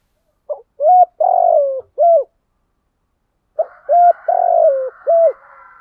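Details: Spotted dove cooing in the morning, a recording played to provoke wild doves: two phrases, each a short clipped note then a long mellow coo sliding downward and a final short coo. Quiet background, fainter overtones behind the second phrase.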